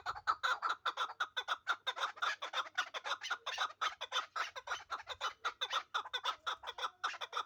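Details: Chukar partridge of the Pamirs uttering a continuous run of harsh chuk-chuk notes, quick and evenly spaced throughout.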